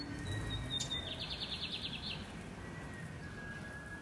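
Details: Lined seedeater singing loud and deep: a thin high whistle slides into a quick buzzy trill of about eight pulses, over steady broadband background noise.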